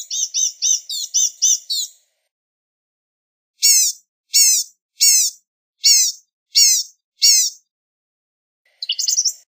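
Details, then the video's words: Blue-gray gnatcatcher with a rapid series of thin, slurred notes, then six separate high, descending chips spaced roughly every three-quarters of a second, and a final scratchy burst. "Blue-gray Gnatcatcher Singing! Calling! Chirping! Sound! - Perlita Común Canto - Polioptila Caerulea"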